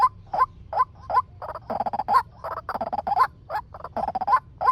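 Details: A male white-breasted waterhen gives a quick lure call, used for trapping: sharp upward-sliding notes mixed with dense, rasping chatter throughout.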